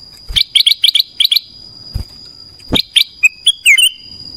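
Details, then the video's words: Morning song of a black-crested bulbul: two clusters of rapid, evenly spaced chirps, then a short whistled phrase that rises and bends. A constant thin high tone sounds underneath, with occasional knocks. "Suara kutilang emas pagi hari"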